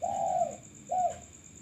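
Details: Male spotted dove from a lure recording: one long, smooth low coo followed by a shorter coo, against a faint steady whine.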